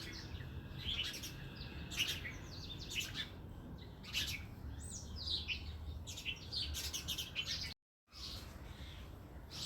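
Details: Two tailorbirds in a house utter scattered high, sharp chirps and short twittering notes at irregular intervals, with low background hum and a brief silent break.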